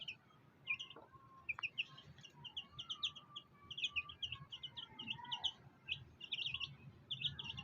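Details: Black hen with fighter chicks: a steady stream of short, high peeps from several chicks, repeated rapidly in overlapping bursts, with a low background rumble and a few faint lower sounds.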